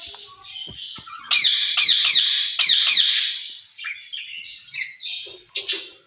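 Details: Two caged ring-necked parakeets calling to each other, harsh repeated screeches with sweeping high notes about four a second, then softer chattering squawks.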